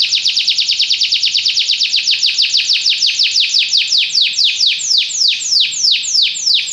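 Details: Belgian canary singing a loud, fast trill of repeated high notes, slowing gradually into longer downward-sweeping slurred syllables toward the end.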